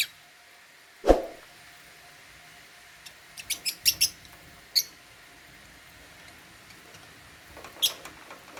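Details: African lovebirds in a cage feeding on holy basil. A loud knock opens, followed by a cluster of short, high, clipped chirps and a few more scattered chirps later.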